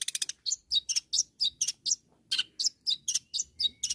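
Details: Long-tailed shrike calling to rivals with a steady series of loud, harsh, buzzy notes, about four each second. It opens with a quick stuttering burst, and the pace stays fairly even throughout.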